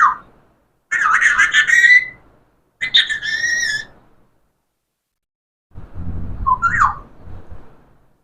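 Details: Talking parrot utters several harmonic, speech-like phrases in bursts with long silent gaps, ending with a short twisting whistle over low background rumble.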